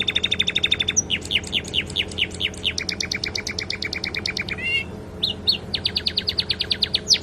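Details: Canary song holding flycatcher mimicry, used for tutoring young birds: a rapid trill slowing into repeated downslurred notes, a buzzy tremolo, a brief rising warble, then more quick slurs.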